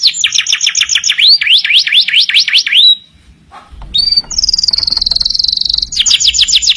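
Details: Master recording of a lively canary for training other birds. Repeated swooping whistles, a brief pause, then a sustained high trill and a quick run of sweeping notes.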